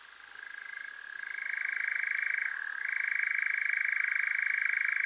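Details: Churring European nightjar after dark in Devon, South West UK, via parabolic microphone and Zoom H5; the trill fades in from quiet, grows loud and steady, with one brief pitch dip partway through.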